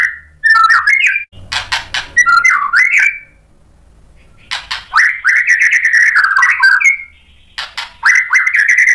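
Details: White-rumped shama song used to stir other birds into replying: jerky rising whistled phrases and harsh chattering bursts, a pause, then long fluty warbled phrases with squeaky accents.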